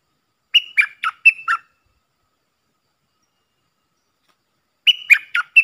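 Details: Decoy sound of a puff-throated bulbul meant for teaching young birds: a quick run of four or five clear, slurred chirps, a long silence, then a second similar burst of notes, with nothing else heard.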